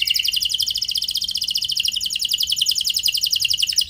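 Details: Canary singing a lure song with a rich 'cengkok mewah' style and long 'nembak' runs, meant to prompt other canaries to answer. A fast, even, high trill of rapidly repeated bright notes holds steady for the whole stretch.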